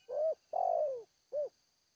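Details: A spotted dove sings in the Seladang Jati style. Three soft, low coos: a short rising note, a longer note that falls away, then a short arched coo. A thin, steady high hum runs throughout.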